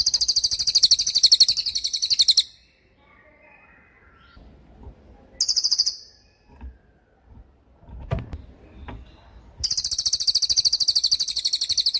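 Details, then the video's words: Cililin singing 'tembakan' as tutor material for songbirds: a fast ringing trill of very high notes, a shorter burst midway, then a final long trill, with faint clicks and low thumps between. "MASTERAN TEMBAKAN CILILIN GACOR DOR,SUPER JERNIH & TAJAM"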